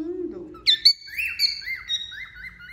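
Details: Moulting wild-type male cockatiel: a low falling note, then sharp upswept whistles and a long wavering whistled phrase with small rises and dips, within under three seconds.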